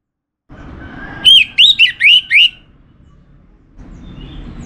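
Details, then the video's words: Song of a caged Orange-headed thrush from Singaraja, northern Bali: five rapid, bright, looping whistled phrases packed into just over a second, followed by quiet and a faint low rumble. "Spektakuler Kicauan Burung ANIS MERAH"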